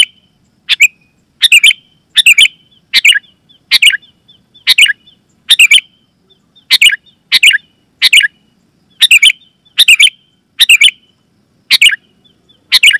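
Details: Sooty-headed bulbul calling loudly and clearly, a lure for wild bulbuls in forest and a tutor for home birds: bright clipped two- to four-note bursts, about sixteen in quick, uneven succession, some with a faint trailing whistle.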